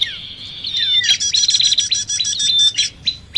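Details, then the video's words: Noisy prinia calls in a bird-trapping lure recording that mixes prinia and common iora sounds: dense high buzzy rattling chatter in rapid bursts, with a few thin downslurred whistles at the start. "Suara Pikat Burung Prenjak Ribut. Kombinasi Sirtu/Cipoh."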